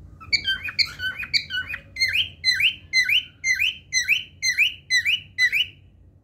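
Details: Singing cockatiel: a few quick squeaky chirps, then a steady series of rising whistled slurs repeated roughly twice a second, ending abruptly.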